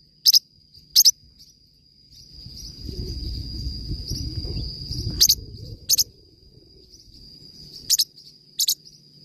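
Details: Forpus parrotlet singing: piercing double chirps at the start and end, interrupted midway by a few seconds of low rumbling noise, with a steady high tone throughout.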